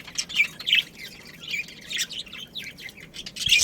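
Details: Breeding pair of budgerigars, Australian parrots kept as pets, giving a busy stream of thin, high chirps and scratchy warbled notes, several per second, over a quiet background.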